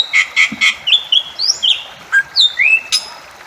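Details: A Bali myna gives three harsh, evenly spaced notes, then a varied string of loud whistled slurs, some rising and some falling, ending with an abrupt harsh burst.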